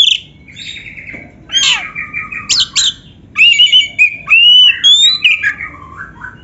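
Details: Oriental magpie-robin training song for kept birds: buzzy trills and sharp chirps, then a long run of clear whistled notes stepping up and down.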